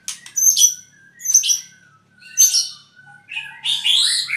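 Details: Albino white-rumped shama, a bird from Purwokerto, giving loud, sharp, high chattering bursts in three separated phrases over faint whistles, then a rich, dense warbled flourish at the close.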